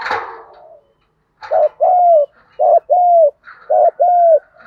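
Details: Spotted dove challenge cooing meant to excite wild doves, from male and female birds: a short noisy burst, silence, then three paired soft hooting coos in quick succession.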